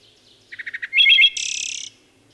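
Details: A single wood thrush phrase: five quick low notes, then a loud fluted note and a sustained high shimmering trill, lasting about one and a half seconds.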